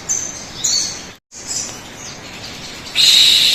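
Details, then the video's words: Shrill sogon bird notes used as a lure to make birds sing; two high squeals, a brief break of silence, more thin notes, then a loud steady whistle-like tone in the final half-second. "pancingan suara burung sogon agar cepat bunyi"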